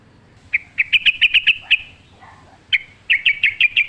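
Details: Yellow-vented bulbul in wild, forest-style song: a run of sharp, evenly spaced chirped notes, a brief pause with a softer lower warble, then another quick string of bright notes.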